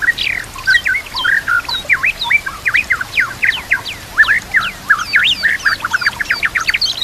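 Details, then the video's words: White-rumped shama, murai batu, song meant as masteran for training young birds, with background nature sounds and water; dense, energetic sequence of sharp swooping whistles and chirps leaping across a wide range, barely pausing. "Putar Suara ini Setiap Pagi dan Sore, Agar murai batu makin Fighter"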